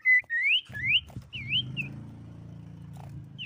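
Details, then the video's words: Common iora singing, played to lure rival birds into answering: rising, slurred whistles in quick succession over a steady low hum. "SIRTU GACOR MEMANCING LAWAN BUNYI 100% BIKIN SIRTU MANAPUN IKUT BUNYI"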